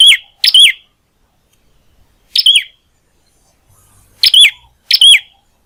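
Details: Prinia kept at home, singing clearly and persistently: short sharp phrases, each a scratchy burst followed by a clear falling whistled note, repeated irregularly in a quiet setting.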